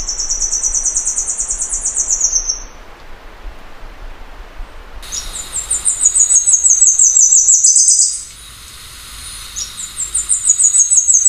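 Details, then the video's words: Tepui redstart (Myioborus castaneocapilla) song: high, thin, rapid trills of sibilant notes, the phrases repeated with short pauses between them. "O canto da Mariquita de cabeça parda ( Myioborus Castaneocapilla )"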